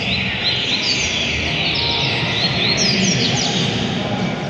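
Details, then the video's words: Buriti-style song of a double-collared seedeater from JPA, Rio de Janeiro, with scattered bright chirps and short sweeping whistles about four times a second, half buried in steady rushing background noise. "Coleiro BURITI"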